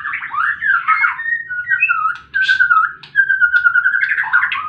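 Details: White-rumped shama fighting song, used to provoke other birds to sing: a rich, varied, almost unbroken flow of fluid whistles, slurred rising and falling notes and quick chattery phrases, with a faint low hum behind.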